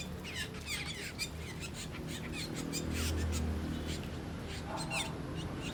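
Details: Asian glossy starlings feasting on ripe papaya fruit give a rapid string of sharp, high, squeaky and metallic notes, about four a second, over a steady low background hum.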